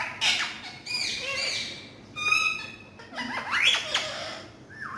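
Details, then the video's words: Naughty talking parrots chattering: rasping harmonic calls, a brief buzzy tone, then a rising whistled slur and a short low whistle at the end. "Amazing Full Naughty Talking Parrots"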